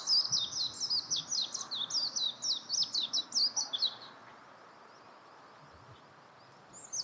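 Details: Warbling white-eye giving a fast, high, twittering warble of rapid rising and falling notes for about four seconds, then near silence with faint background hiss.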